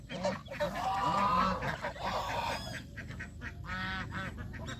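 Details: Flock of farm geese enjoying greens and water, calling in quick nasal honks that fade and return in a softer burst at the end.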